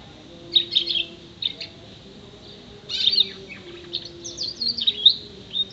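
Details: Six-month canary singing its learned mimicry, including sparrow, prinia, white-eye and blackthroat imitations; high scratchy trill phrases in bursts, a pause, then a longer twittering run, steady low hum underneath.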